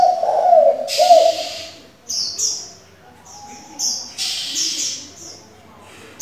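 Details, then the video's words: Decoy spotted dove giving varied calls meant to train young doves; a low throaty coo opens, then fades under repeated high chirps and short bright whistles from other small birds. "Cu gáy đảo giọng liên tục, kích bổi hay, luyện CU non chuẩn!"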